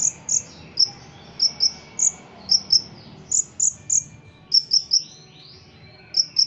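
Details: Ruby-cheeked sunbird from Cililin, a contest songbird, gives a string of sharp, very high chirps and short whistles, fairly evenly spaced, some paired, with faint sliding notes in between.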